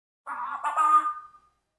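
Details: Four-year-old Congo African grey parrot, a pet, doing a fake sneeze: a short, nasal, buzzy burst that swells and then trails off into a fading tone over about one second.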